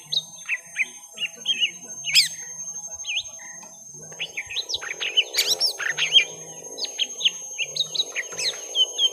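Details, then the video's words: Young lesser green leafbirds battling at length: rapid whistled slurs and chirps with sudden loud high squeals, partly over a wavering mechanical hum and a low background drone. "Suara Pertarungan panjang cucak ijo mini muda"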